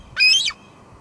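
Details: One piercing, slightly downslurred squee from a female bald eagle at her nest at Two Harbors, recorded by a live nest cam on a July 2022 evening.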